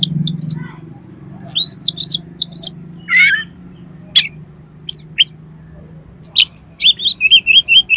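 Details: Oriental magpie-robin song used as a lure to make a kacer sing and spread its tail: varied high whistled chirps and slurred notes, one harsh buzzy burst, then a quick run of repeated rising whistles at the end over a low steady hum.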